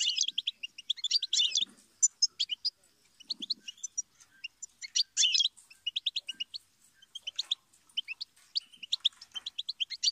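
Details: Goldfinch delivering a lively, jumbled song of high chirps, twitters and brief buzzy trills in dense bursts separated by short gaps.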